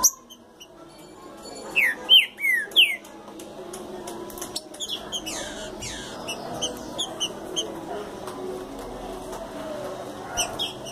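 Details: Green-winged saltator coming out of moult opens with three or four bright, downslurred whistled notes. These are followed by a busy stretch of clicks, faint chirps and rustling background noise.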